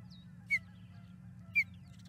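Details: Osprey at the Charlo nest, 12 May 2022 around 5:45 pm MDT, escorting an intruding osprey out of the area: two short, sharp downslurred whistled chirps about a second apart, over a steady low hum and faint distant chirps.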